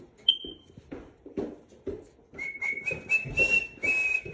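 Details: Rainbow lorikeet being hand-tamed and trained, a sharp short whistle first, then a sustained steady whistled tone with a slight upward step, broken by harsh rasping chatter bursts repeated about twice a second; faint bumps and indoor noise underneath.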